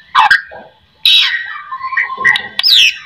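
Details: White-rumped shama song played to set other shamas singing: a harsh chatter, a rasping burst, then whistled notes and a high sweeping slur.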